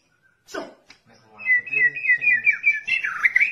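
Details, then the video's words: Song of a white-rumped shama, used as a model for training songbirds: a rough sweeping note, then fast, varied warbling and whistled phrases over a faint low hum. "Burung Murai Cocok Buat Masteran"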